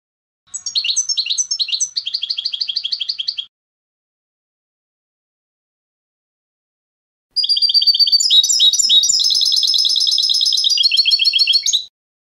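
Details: European goldfinch singing: a short burst of twittering, slurred notes, a pause, then a long dense run of high tinkling trills and chattering phrases.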